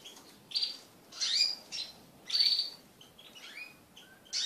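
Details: Crested pet canaries mating, giving a few loud high chirp bursts and short whistled phrases separated by gaps, with soft hiss underneath.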